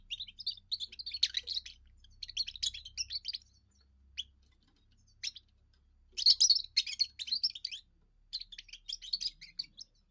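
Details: European goldfinch, a young bird on its first song, which serves territory defence and courtship: loose series of high twittering phrases with scattered single chirps, a louder jangling burst after six seconds, faint low hum beneath.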